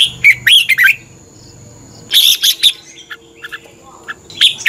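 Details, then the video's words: Red-whiskered bulbul fighting song from a morning training session for caged birds: quick slurred whistled notes in two phrases about two seconds apart, with faint high chirps from other birds in the gaps. "Luyện chào mào hót sáng. chào mào hót đấu"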